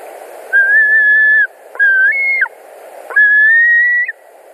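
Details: White-tailed eagle at a nest in Latvia on the evening of 21 July 2019, screaming as an adult arrives: three long, steady whistled screams, each close to a second and slightly rising at the end.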